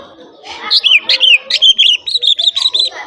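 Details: Greater green leafbird (cucak ijo), a popular kept bird able to imitate other birds, singing loudly: a lively series of clear slurred whistles and quick chirps, around a dozen notes in three seconds.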